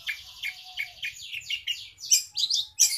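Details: Long-tailed shrike song with house sparrow imitation, a series of descending scratchy chirps roughly one to two per second, growing louder and harsher toward the end.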